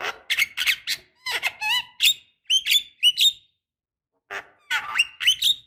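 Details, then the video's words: Javan myna female calling to a male to encourage singing: fast squeaky, creaking notes mixed with short whistles and harsh rasps in quick groups, a one-second pause, then another chattering burst. "jalak kebo muda malas bunyi COBA pancing dengan ini"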